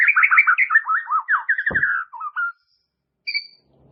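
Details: Caged-bird training recording of white-rumped shama song: rapid chattering whistled notes running into a quick trill, followed by short low whistles and one faint high note.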